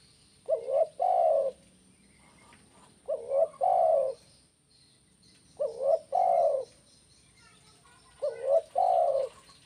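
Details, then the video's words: Spotted dove in the 'kuk 1' style, used for luring and to make birds sing actively. Mellow, hollow cooing phrases, each a short rising note then a longer, fuller coo, repeated about every two and a half seconds. A steady high hum runs underneath. "SUARA BURUNG TEKUKUR KUK 1"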